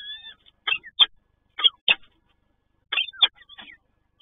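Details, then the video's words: Peregrine falcon at a Toruń nest, first moments with a hatchling: a thin wavering whistle, then paired sharp harsh notes in loose groups separated by short silences. "Sokół wędrowny PGE Toruń - Pierwsze chwile 5CB z maluszkiem"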